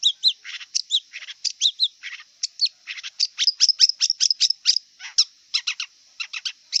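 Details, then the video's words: Wild long-tailed shrike delivering a busy, continuous song of rapid high chips, squeaky upslurs and scratchy buzzy notes, tumbling along with barely a pause. "Kicau cendet liar"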